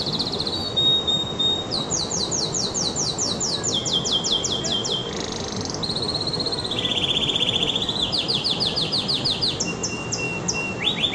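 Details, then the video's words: Excited canary delivering a long song of rapid rolling trills, each phrase held a second or two before jumping to a new pitch, mixed with quick sweeping notes over steady hiss. "تغريدة طائر الكناري"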